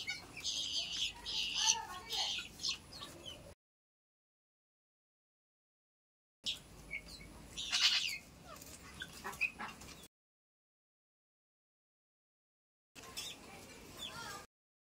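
Guineafowl chicks give a busy chorus of thin, high peeping chirps in short bursts.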